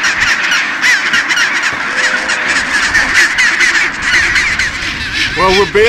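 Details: Chinstrap penguin breeding colony at Bailey Head on Deception Island, Antarctica, thousands of birds; raucous overlapping squawks and honks form a constant chorus, with a loud nearby bird giving a harsh, wavering braying call near the end.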